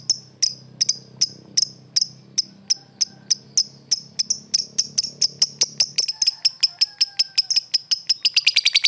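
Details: Lovebird calling a rival: sharp, very high chirps repeated a few per second, speeding up toward the end, over a low background hum that fades after six seconds.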